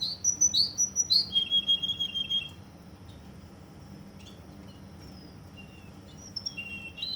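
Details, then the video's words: Russian canary in Kuwait giving a burst of rapid high chirped notes and a short trill in the first seconds, then near silence with faint distant notes before a final high phrase. "Russian canary from Kuwait"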